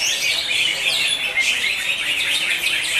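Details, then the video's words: Competition greater green leafbirds, session 5 in Tangsel, sing over one another in a busy blur of sharp, high twitters and short whistled slides, with one clear rising whistle standing out briefly. "CUCAK HIJAU"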